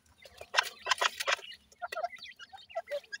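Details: Grey francolin chicks calling: clustered loud chirps early on, then scattered short whistled peeps at varying pitches.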